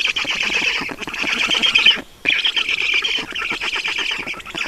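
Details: Estonian Black Stork nest, evening of 5 June 2019 at 20:28, during a water delivery; scratchy high squawking in rapid succession, broken by a clear gap at two seconds, then resuming.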